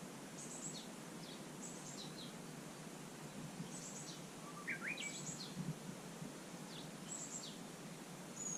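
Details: Japanese bush warbler singing a variant song at Susan-ri on 18 July 2020: a short low whistle, then quick rising whistled strokes, set among repeated high thin chirps from other birds over steady outdoor noise.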